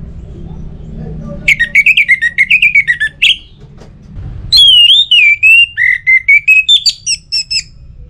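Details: Orange-headed thrush, its song played to spur other birds into singing: two bursts of rapid, clear whistled notes, the second louder, opening high then wavering lower and rising again, with a short pause between.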